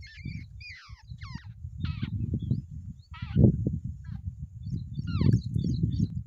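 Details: Two wild babblers at their nest call in short rasping and looping nasal notes, partly masked by strong low rumbling noise throughout.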